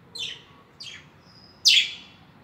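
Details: Budgerigars giving three short, high chirps that sweep downward, the last one loudest, with quiet gaps between them and a faint whistle in the background.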